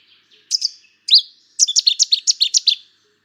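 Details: Cetti's warbler giving its explosive, rich staccato song: two brief introductory notes, then a rapid run of about ten loud, evenly spaced sharp notes lasting just over a second, in a quiet setting.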